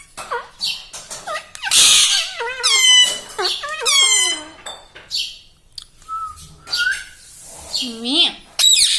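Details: Pet parrot indoors, kept talking at home, said to speak words such as mummy, papa and radhe radhe; bursts of squeaky, wavering harmonic syllables and shrill upswept notes tumble out in quick irregular speech-like runs.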